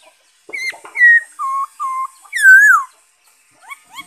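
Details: Song of a black-throated laughingthrush, 5 May 2021: a string of steady whistled notes, a few held at a lower pitch, then a loud swooping whistle falling away, with soft high chips after.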